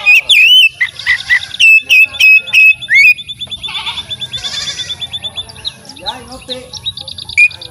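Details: White-rumped shama song, described as melodious: loud whistled notes with rapid trills and sweeps, followed by quieter varied twittering and chattering phrases and a final sharp whistle.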